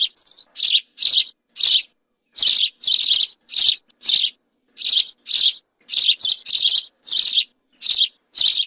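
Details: A group of House sparrows singing: loud, insistent chirps of bright, harsh notes repeated almost twice a second in uneven bursts, with nothing else audible.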